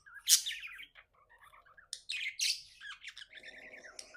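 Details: Happy pet budgerigar chirping: sharp high chirps and squeaky warbled notes in uneven bursts, with a brief lower buzzy rasp near the end.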